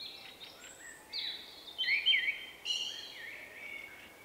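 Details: Male Common Blackbird, shy and easily startled, singing his unusual song in March 2024; a dense run of overlapping whistles and high squeaky notes, loudest in the middle, over background hiss.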